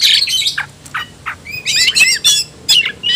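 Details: Oriental magpie-robin provoked to fight, ngobra style: scratchy high notes and a few short falling calls, then a burst of loud looping, warbled whistles and harsh chips.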